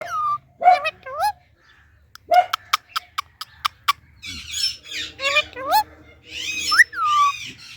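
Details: Indian ringneck parakeet, a talking parrot, giving loud natural chirps and squawks: short rising and falling harmonic notes in scattered bursts, with sharp clicks between them and a run of bright, wavering calls near the end.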